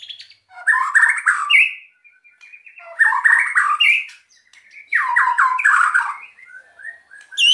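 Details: White-rumped shama singing hard, used to stir quiet birds into song: three harsh, crackling bursts of rapid chattering notes, each about a second long, separated by softer thin whistles.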